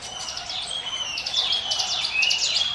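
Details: Ciblek gunung, a mountain prinia, singing the 'ngiwit wit' lure style: a quick sequence of thin, very high chirps over a steady high whistle.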